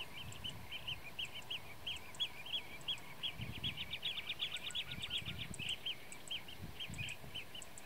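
Blue-tailed Bee-eaters give a steady stream of short, rolling, trilled notes, several per second and overlapping, over low rumbling wind noise.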